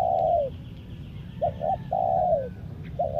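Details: Spotted dove kept as a decoy bird for luring wild doves, Lombok, calling in a mid-pitched voice: a drawn-out falling coo, then two short clipped notes and another long purring coo, ending on a short pair, with steady low background rumble.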